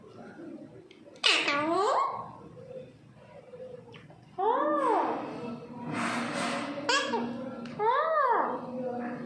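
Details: Indian parrots kept indoors give a sudden shriek followed by several rising-and-falling tonal calls and harsh bursts, close together toward the end.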